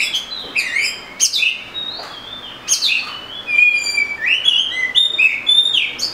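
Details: Oriental magpie-robin singing: varied clear whistled phrases, slurred up and down, with repeated high sweet notes and a steady background hiss.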